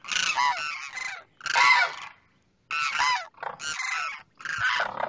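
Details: Male demoiselle crane calling to a female across from him: separate bursts of harsh, rattling honks, roughly one each second, with clear gaps of silence between.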